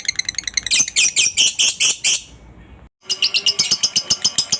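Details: Lovebird chattering in ngekek style, used as a lure to make other lovebirds call: bursts of harsh, shrill pulses are broken by a short silent gap, and then the rattling chatter resumes.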